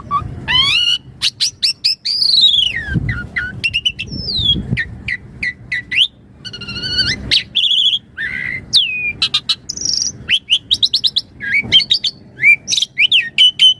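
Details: Javan pied starling in varied, energetic full song used as a master and lure for other starlings: rapid sequence of clear whistles, sweeping slurred notes, sharp clicks and harsh buzzy bursts, constantly changing pattern with brief pauses.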